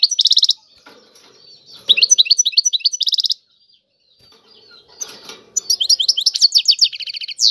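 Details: Tiwawati song of a European goldfinch in separate bursts of quick twittering and buzzy trills, with quiet gaps that hold faint rustling and background noise.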